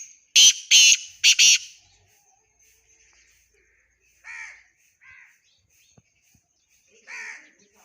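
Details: Black francolin (kala teetar) calling: a loud burst of four harsh, rasping broadband notes in quick succession, followed by three fainter, shorter grating notes spaced about a second apart, then quiet. Soft high chirps in the background.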